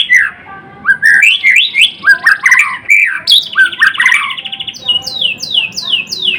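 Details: Caged murai batu, or white-rumped shama, also named murai blorok, sings a continuous medley of rich whistles, buzzy trills and chatter, finishing with a string of quick descending repeated notes.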